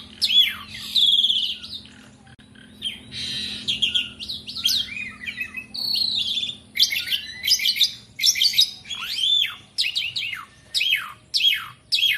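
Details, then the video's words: Asian pied starling in continuous song: mixed whistles, harsh buzzy bursts and clipped chattering notes that come in quick runs, with short gaps between bursts. "JALAK SUREN GACORR,..Suara tiada henti henti"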